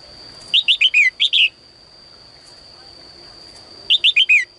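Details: Morning song of a caged female bird calling males to sing more: a rapid run of six sharp, downward-sweeping chirps, a pause of over two seconds, then four more, all over a faint continuous high tone.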